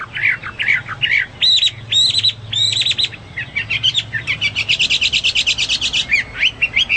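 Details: Hwamei singing for use in training pet birds: varied whistles and chattering phrases, then a fast, evenly repeated series of short sharp notes.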